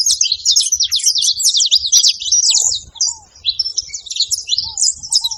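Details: Saffron finches at a feeding spot, a dense overlapping chorus of high, sharp chirps and twitters from many birds, with brief soft curved low notes after the third second.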